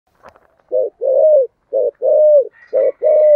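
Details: Spotted dove of the local 'thổ' voice style, calling to lure other doves; loud cooing phrases of short and longer drawn-out notes, the long notes falling at the end, repeated about once a second, with faint higher tones late.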